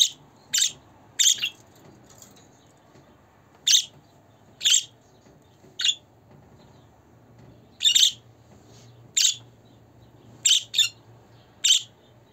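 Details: Budgerigar calling sounds meant to make a pet budgie happy and help new or young birds settle in: short harsh chirps and squawks, spaced irregularly, about a dozen bursts, over a faint low hum.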